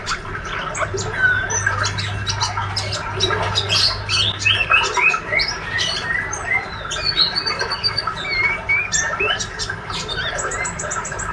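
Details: Diligent young male white-rumped shama, spotted and healthy, in long ngriwik twittering: a continuous, varied jumble of clicks, chirps and short high whistles. A steady low hum fills the first half.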